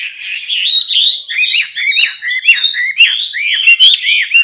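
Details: Male Chinese hwamei singing a loud, continuous song of clear whistled notes, many sweeping up then down in quick arcs, tumbling along without pause.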